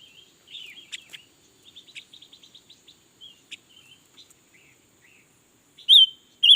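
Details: Red-billed leiothrix singing all day, mostly soft ticks and short twittering notes in uneven series, ending with two loud, bright, wavy whistled phrases.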